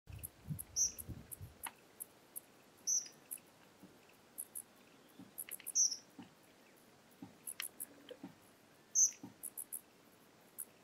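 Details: Suiriri defending its territory against a Yellow-headed Caracara; sharp high twittering notes come in short bursts about every two to three seconds, over steady ticking insect pulses and faint low rumbles.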